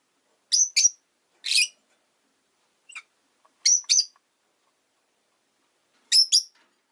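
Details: Pet rosy-faced lovebird on a peaceful afternoon: paired sharp, screechy chirps with a whistled tone, a buzzy note, a faint call, then more doubled chirps a couple of seconds apart.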